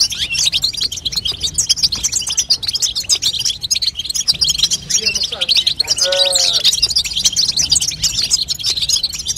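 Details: Female European goldfinch chatter, called babtaba, aimed at getting a young goldfinch to sing: constant high, jingling twitters, with a brief lower, harmonic wavering sound around the six-second mark.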